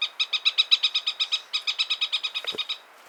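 A Chatham parakeet gives a fast, even chatter of about twenty nasal, harmonic notes in under three seconds, ending with a faint downward squeal.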